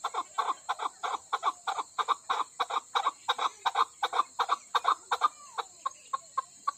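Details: Female chukar, Koh-i-Suleiman mountains of Pakistan: an even, rapid stream of hollow clucking notes near three per second that thins to quieter, spaced notes in the final seconds, with a steady high whine present.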